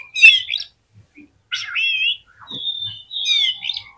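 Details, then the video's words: Oriental magpie-robin song used to stir up other magpie-robins: clear whistled phrases, some rising and falling, others slurred and buzzy, in three bursts separated by short pauses. "CUKUP DI PLAY 3 MENIT BIKIN KACER LANGSUNG EMOSI TINGGI !!!"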